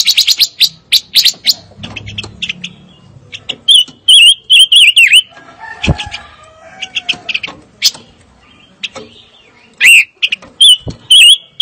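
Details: Fire-tailed myzornis song of bright, high chirps and thin whistles in quick clusters, separated by pauses with faint lower twittering and a soft thud.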